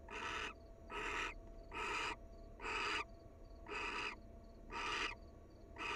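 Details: At the nest, a wild barn owl pair showing affection gives rasping, breathy hiss-screeches, each near half a second long, coming steadily about once a second; a soft high pulsed tone runs underneath.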